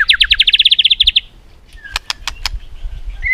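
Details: White-rumped shama in competitive song, a fast rising trill of about fifteen rapid notes, then several sharp clicking tacks.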